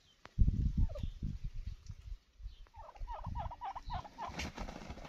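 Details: Wild turkey with a quick run of clipped, falling yelps near the end. Before that comes a loud, low burst of rumbling and rustling.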